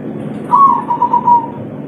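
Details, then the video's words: Spotted dove calling a female, a local bird in the three-note "kuk 3" style: a single soft, mellow coo held steady, then wavering briefly before fading. "Derkuku kuk3 lokal gacor ngamuk suara empuk - memanggil betina"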